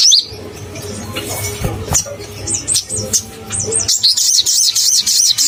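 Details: Crimson sunbird in vigorous full song, used to provoke other sunbirds: scattered high sharp notes, then a fast run of looping, rising-and-falling whistled phrases about three per second, over a steady low hum.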